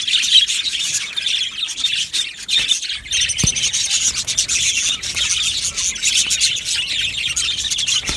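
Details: Several budgerigars chatter together in a steady stream of high, scratchy chirps and twitters, with louder squeaky notes near the start and a few sharp clicks in the background.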